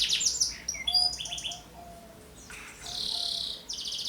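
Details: Canary song intended as a lure for young canaries and tutor for other birds: scattered high chirps and short whistles, a quieter gap, then a bright buzzy trill burst and another trill starting.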